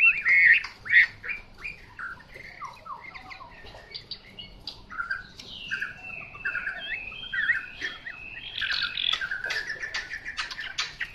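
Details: Chinese hwamei singing a long, varied song: loud clear whistled phrases with rising and falling slurs, short repeated notes and a rapid, denser warbling passage toward the end.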